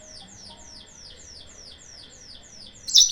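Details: Yellow-fronted canary song used as a lure to provoke rival birds: a series of rapid high descending sweeps repeated about every quarter second, ending in a sharp loud note.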